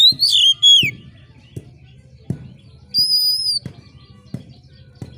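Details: Oriental magpie-robin giving a sharp screeching phrase to excite competition birds: a falling whistled slur opens, then a single long level whistle, with a regular low ticking beat filling the pauses.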